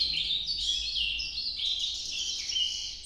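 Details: Unbroken warbling song of an Ultramarine grosbeak, Nordeste noturno style. Bright, fluid notes rise and fall throughout with no pause.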